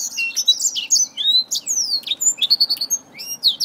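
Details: Black-throated finch fighting a finger: high, clear downslurred whistles and sharp chirps repeated rapidly, with faint low background hum.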